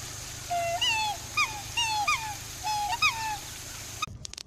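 Black swan giving five or so musical, bugling whoops that rise then dip, about two a second; a brief clatter ends the recording.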